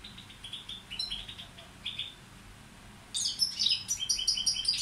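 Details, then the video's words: Goldfinch of the Balkan form balcanica, kept as a tutor bird, starting with faint scattered twitters before breaking into loud, high tinkling and buzzy trilled phrases. "Carduelis balcanica učitelj... Izbrojite mu ture"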